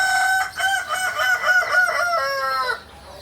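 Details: Crowing of a purebred kukuak balenggek rooster from Solok, West Sumatra: one sustained, richly harmonic crow breaking into a quick series of wavering, stepped syllables, ending abruptly after nearly three seconds.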